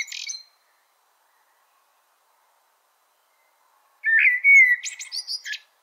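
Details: A brief high scratchy note, long quiet, then one melro preto blackbird phrase of a loud clear whistle ending in rapid buzzy clicks and high harsh notes.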